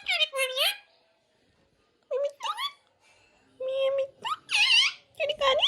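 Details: Green parrot speaking clearly, repeating a phrase given as "Mia Mithu chori khani hai": bursts of high, harmonic, speech-like syllables with sliding pitch, separated by short pauses, indoors.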